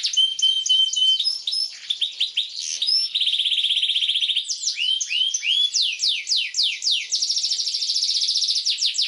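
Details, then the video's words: Long, emotional canary song used to train young canaries: whistled notes and quick chirps, a sustained buzzy trill, then repeated downward sweeps and another rapid trill. "PANCINGAN Kenari GACOR PANJANG Cuit2 EMOSI ini AMPUH utk MASTERAN Kenari PAUD belajar BUNYI"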